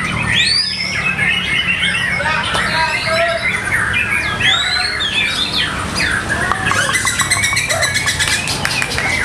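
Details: Contest white-rumped shama kept in a cage at a regular practice contest, pouring out long varied song with swooping whistles and rattling bursts near the end, amid a constant chorus of competing birds and some murmuring people.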